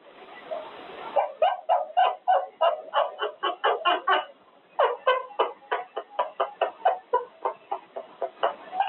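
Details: Pet male Quaker parrot practicing words during cage time; after a noisy first second, rapid harsh syllables repeat about three or four per second in an uneven, chattering run.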